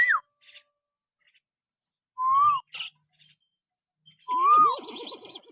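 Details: Common hill myna in natural whistling, used as a lure so pet mynas start calling: a short falling note, then two loud arched whistles about two seconds apart, the last one trailing into a warbling rattle.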